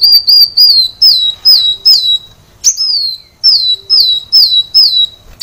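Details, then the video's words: Kolibri wulung sunbird song, a training recording for caged birds: loud, very high downslurred whistles repeated in quick succession, with a sharp upward note midway, sustained throughout. "Kolibri Wulung ngedan | masteran Kolibri Wulung | Kolibri Wulung gacor | kicau Kolibri Wulung"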